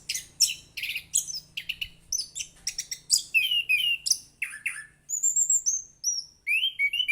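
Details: Lively, sweet-voiced orange-headed thrush in full song: dense runs of varied chirps, trills and mimicked-sounding notes, then longer clear whistles sliding downward, over a steady low hum.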